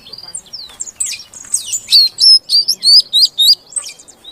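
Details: Female Oriental magpie-robin calling to encourage a quiet male to sing; soft twitter at first, then a series of about seven loud, even, rising whistled notes repeated rapidly, followed by a fading chirp.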